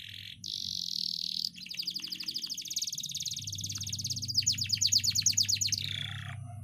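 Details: Canary song used for training young canaries to sing: a dense, high buzzy trill, then long rapid rolling series of sharp repeated notes speeding into a bright chattering roll.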